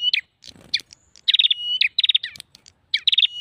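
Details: A prinia lure call for attracting prinias gives sharp, high chips and quick bursts of rapid, buzzy trills, repeated several times in a few seconds.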